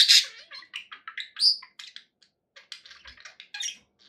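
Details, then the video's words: Cheerful budgie calls: a loud harsh squawk opens, then a rising whistled note, followed by a string of quick soft clicks and chirps. "happy budgie sounds"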